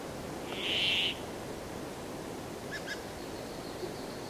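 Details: An opening buzzy, wheezing note from a Brambling, followed by quiet hiss and a couple of faint distant chirps.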